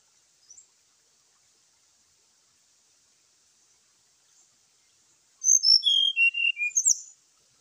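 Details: Brown-chested jungle flycatcher fighting call in the morning, used to provoke other birds to sing: after long near-silence, a two-second burst of high clear whistles stepping downward, ending in sharp high notes.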